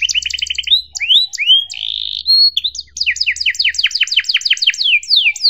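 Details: Canary 'cuit cuit' tutor song for juvenile birds: a quick trill, rising whistled swoops and a long held warbling note, then an extended series of evenly spaced paired chirps.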